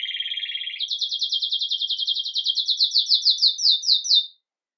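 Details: A red mosaic agate Belgian canary sings its bell-like "campainha" song in the morning, recorded live: a fast trill, first a low buzzy rattle, then a higher run of quick repeated notes that slow and swell.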